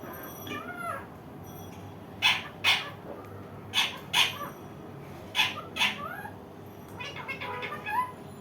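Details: Indian ringneck parakeet calling indoors: several sharp, harsh broadband screeches in pairs around two to six seconds, mixed with shorter bending, nasal harmonic notes and a steady faint background hum.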